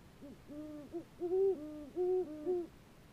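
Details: A pair of great horned owls at 11 PM on 22 October 2015 renew their pair bond with a hooting duet, the male's hoots lower than the female's, soft deep notes overlapping in quick back-and-forth over about three seconds.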